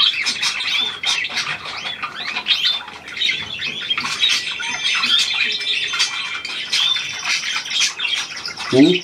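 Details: Continuous chattering of budgerigars including a new hand-tame pied individual, February 2023; high fluttering warbles and chirps, ending with a brief low human sound.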